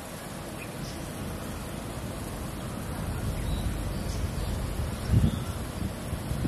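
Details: Steady wind and low rumbling background noise fill the recording, with no clear animal calls.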